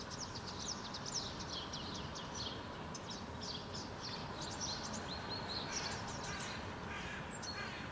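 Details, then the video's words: Fledgling house sparrows being fed by a parent in a Helsinki park, Finland, June 2013; rapid bursts of high chirping notes, busier in the first seconds, with a thin whistle near the end over low constant hum. "Interaction between House Sparrow parent and fledglings"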